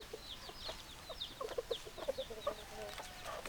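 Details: Chickens, hens and roosters, with a dense flock chorus of short low clucks scattered over faint high peeping notes, irregular and overlapping, several birds calling at once.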